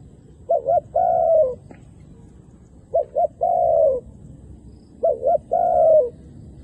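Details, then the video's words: Wild doves, both sexes, are lured to the ground by a calling decoy dove. Three spaced cooing phrases, each two short rapid notes then one sustained falling coo, recur roughly every two seconds. "ធ្នាក់ព្រិចហៅលលកព្រៃនៅលើដី ចុះទាំងញីចុះទាំងឈ្មោល"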